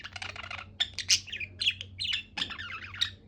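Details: A cheerful budgie chirps rapidly, mixing clicky ticks with louder squeaky warbles that rise and fall in quick succession, accompanied by a constant low electrical hum.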